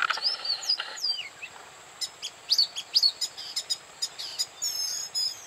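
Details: Oriental magpie-robin singing at Bada, North 24 Parganas: varied clear whistled notes and short sharp chirps in irregular phrases, over a steady background hiss.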